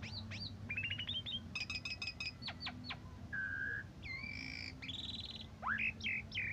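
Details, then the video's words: Asian pied starling song, recorded morning and evening as training material for other cage birds: slurred whistles, harsh harmonic-rich bursts, flat sustained tones and a closing upsweep in a varied, jumbled sequence; constant low hum behind. "Suara Jalak Suren"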